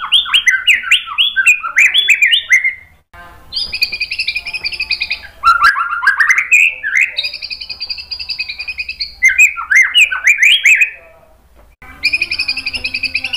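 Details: White-rumped shama (murai batu) song used as a training and provoking recording to make other birds answer and sing; rich, varied phrases of sliding whistles and rapid slurred notes, with pauses and long buzzy trilled passages.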